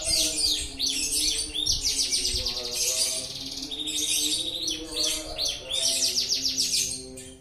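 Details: Canary in long continuous song, loud high trills and fast rattling bursts in quick succession, some sections dense and buzzy, with a background of steady music tones.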